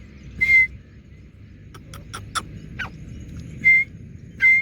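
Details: Young grey francolin, a Dakhni teetar not yet full-grown, kept near its owner outdoors; a few short clear whistled notes at even pitch, separated by sharp clicks and taps, over low rumbling background.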